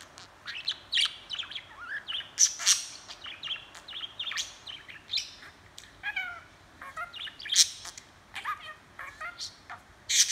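A budgerigar chatters nonstop, a rapid jumble of high squeaks, warbles, clicks and short buzzy notes with a few sharper chirps mixed in.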